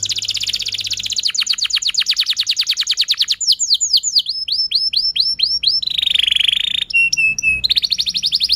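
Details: Energetic canary song meant to stimulate young or silent canaries: a dense buzzy trill, a rattling tour, looping downslurred notes, then a sustained whistled tone and a clipped two-note figure before another trill.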